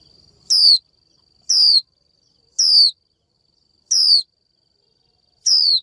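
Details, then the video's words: Female Japanese white-eye luring a male, uttering five quick, piercing downslurred 'chiu' calls at roughly one-second intervals over a faint continuous whine. "Chim vành khuyên mái chíu gọi trống"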